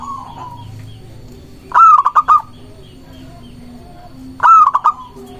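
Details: Zebra dove of local stock, singing strongly as a lure to provoke rival doves: a soft rolling trill, then two loud phrases about three seconds apart, each a drawn coo plus several short staccato notes.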